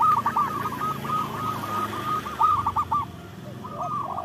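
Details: Zebra dove, local type, used as a trapping lure: a steady stream of fast bubbling coos at one pitch, then a pause and a brief second phrase, over a constant hiss.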